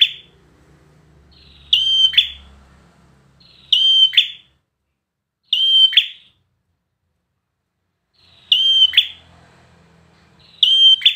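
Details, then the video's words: Five evenly spaced phrases from a competition bar-winged prinia, roughly one every two seconds: each a bright, sustained high whistle clipped into a short rasping lower note, with silent gaps between. "PRENJAK KLAWU PRESTASI"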